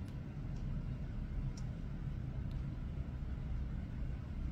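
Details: Steady low rumble like distant traffic, with a few faint ticks and no animal voice.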